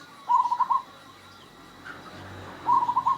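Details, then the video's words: Local zebra dove, described as unusually vocal with a rare, unusual voice, giving two short staccato cooing trills of rapid pulsed notes, each about half a second long, separated by a quiet pause, over faint background hiss. "PERKUTUT LOKAL GACOR SUARA ,ANEH, LANGKA, ANTIK & UNIK"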